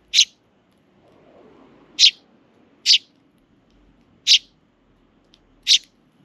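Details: Sparrow chicks with their parent birds in a park, in June, being fed and spoiled by the adults: five short, sharp, high chirps spaced about a second apart, with a faint low murmur in between.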